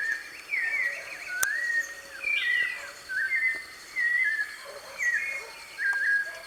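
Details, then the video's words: Wild white-necked thrush singing free in nature, a live recording: clear whistled phrases near mid pitch, slurred up and down, given in short bursts about once a second with brief pauses, faint background hiss. "SABIÁ DE COLEIRA,LIVRE NA NATUREZA,GRAVAÇÃO AO VIVO"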